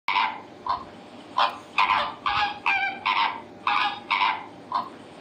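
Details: Flamingo calls, a series of loud nasal honks, some short and some drawn out, given about twice a second with brief gaps between them.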